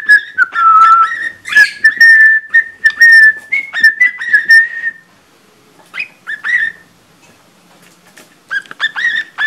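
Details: Pet budgerigar mimicking a cockatiel's Mickey Mouse March tune, clumsily: a long whistled phrase stepping up and down in pitch, then quiet, then scattered short whistled notes.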